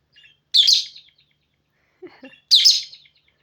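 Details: A pet parrot, which its owner calls "my girl", sings indoors in two loud, bright, scratchy chirped phrases about two seconds apart, with a faint low murmur of a person's voice between them.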